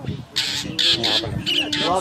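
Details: Fork-tailed drongo at Rietvlei giving five harsh, rasping bursts with thin high whistles, mimicking a pearl-spotted owlet and adding other birds' alarm calls to make it more believable, over a man's voice.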